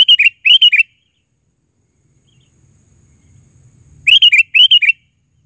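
Sooty-headed bulbul giving quick bubbly, chirping phrases of three or four notes in two bursts, separated by a few seconds of near silence with a faint low rumble.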